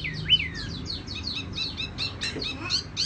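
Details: A tiểu mi sings softly. One bright rising whistle is followed by a rapid twittering chain of short, high downslurred notes.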